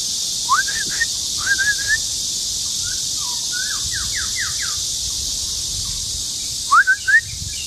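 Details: Singing male white-rumped shama, Luodishan Nature Park, Kaohsiung, Taiwan, 13 June 2018: clear rising whistled phrases, a cluster of fast down-slurred notes, then more bright upslurred whistles, against a loud steady insect chorus.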